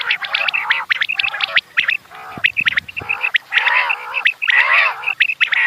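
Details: Many quails chirping in the morning: dense, overlapping chatter of short nasal downslurred notes mixed with sharp high chips, almost continuous with brief pauses.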